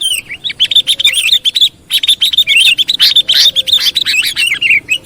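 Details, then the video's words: Sooty-headed bulbul lure sound for trapping: a near-continuous, rapid stream of warbled, wavering notes with bright chirps, barely pausing. "SUARA BURUNG KUTILANG PIKATAN"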